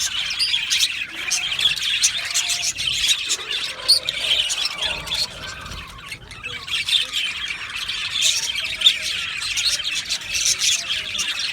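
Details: Australian budgie colony in an aviary: loud rolling chatter of chirps and harsh squawks from many birds, with short warbling phrases weaving through the din.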